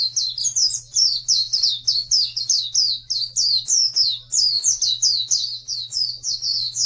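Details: Oriental white-eye delivering a continuous high twittering song, recorded as a tutor for birds that will not sing. Rapid rhythmic chirps of downward-sliding notes over a constant low hum.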